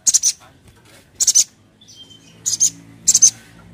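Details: Sogon (crimson sunbird) giving 'cret cret' lure calls: four sharp, very high doubled chirps spaced about a second apart, with a faint thin falling whistle between them and a low hum in the background.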